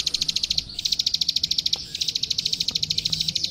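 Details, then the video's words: Plain prinia, locally prenjak sawah or klik klik, recorded as master song for training young birds: rapid, regular, high metallic ticks in a continuous trill with two brief pauses. "Suara Masteran Burung Klik Klik Gacor"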